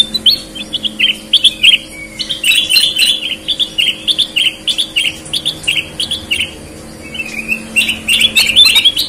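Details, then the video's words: Sooty-headed bulbul singing vigorously, red-eyed versus white-eyed birds compared, Indonesia: dense run of short chirped and whistled notes, rapid and irregular, with brief sliding whistles and faint steady hum underneath. "Burung kutilang gacor mata merah vs mata putih"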